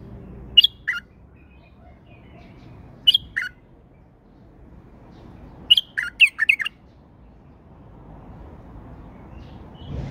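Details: Tame male bulbul with wing-fluttering display giving short bright whistled phrases, two brief notes and then a longer burst of several rapid notes, over low background hum.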